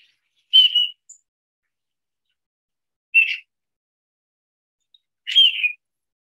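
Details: Male Mallard (Anas platyrhynchos) courtship display calls from a displaying male: three short, high whistled notes, some doubled, spaced about two and a half seconds apart, with no quacking and a quiet background.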